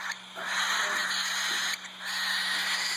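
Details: One of three captive baby cockatiel chicks, the oldest 23 days old, gives a harsh, breathy rasp drawn out in two long bursts.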